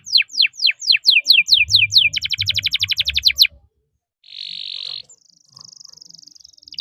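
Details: Canary song with cuit cuit notes and long rolls: descending whistled sweeps speeding into a fast steady trill, a buzzy burst, then a thin high trill, with low rumbling beneath.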